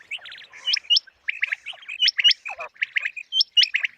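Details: Common quail calls used as a hunting lure for morning: quick two- and three-note clusters of sharp chirps alternate with higher hooked whistles, repeated steadily with short gaps throughout.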